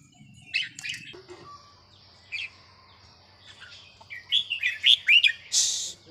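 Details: Vietnamese red-whiskered bulbul, small, aged over ten, in note-counting song: a few scattered chirps, then a rapid run of bright, slurred whistled notes ending in a harsh burst.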